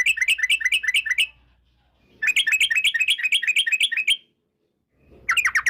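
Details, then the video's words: Yellow-vented bulbul song used as a lure to set other bulbuls singing: quick bubbling trills in three bursts, the middle one longest, separated by clean silent gaps as if cut together. "TRUCUK Gacor ROPEL PANJANG pancingan trucuk agar BUNYI, jadikan burung trucukan BUNYI ROPEL sketika"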